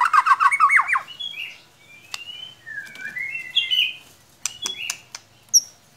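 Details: White-rumped shama lure song, played to spur a quiet bird into singing: a rapid burst of buzzy, rattling notes, then sliding clear whistles and scattered sharp high chips with pauses.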